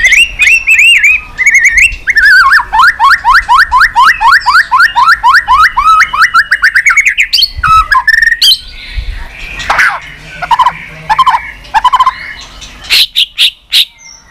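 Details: White-rumped shama singing 'tạch' to spur on weak birds: long fast rattling series of falling notes repeated many times per second, then a pause and scattered burry phrases with sharp high notes.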